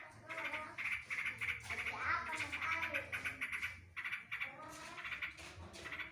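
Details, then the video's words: Caged yellow-vented bulbul (trucukan) singing with mimicked green leafbird phrases, dense rapid bursts of buzzy chattering notes around a bright band, about three per second, irregular, over a low steady hum. "Burung trucukan || full isian tembakan cucak hijau drodot"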